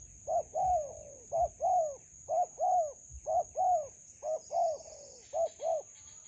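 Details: Spotted dove at a melaleuca garden trapping site with a decoy. It gives a long run of paired coos, each pair a quick note and a longer falling one, about five pairs in a steady rhythm. A constant high whine sounds behind, with faint chirps near the end.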